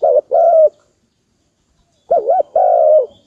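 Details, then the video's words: Dove calling in two phrases, each a short warbling note then a drawn-out steady coo, separated by a pause of over a second. "Dove sound,Amazing dove sound,dove"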